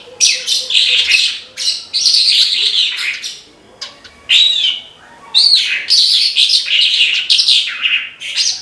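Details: Vigorous 'gacor' song of a branjangan (Horsfield's bush lark): rapid, rasping high twitters and descending slurred notes in clustered bursts, with a quiet gap midway before the chatter resumes.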